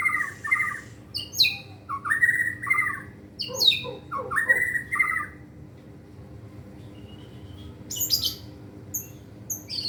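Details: White-rumped shama, caged, practising its full song: rich fluty phrases mixed with high snapping notes, a quiet pause, then thin high chips near the end.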